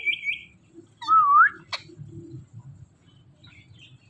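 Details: Indian ringneck parakeet producing a high brief note followed by a clear whistled tone that dips then rises, a sharp click, then quiet with faint low rumbling.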